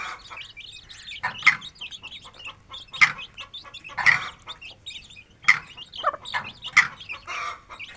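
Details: Aseel chicks and their mother feeding freely in a village yard; thin high chirps overlapping in a busy chatter, punctuated by sharp broadband clicks roughly every second or so.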